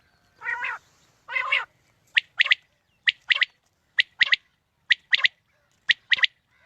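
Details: Quail call used as a morning hunting lure: two lower, harsh nasal notes open, followed by crisp high chirps in quick pairs spaced roughly a second apart, steady and clean against a quiet background.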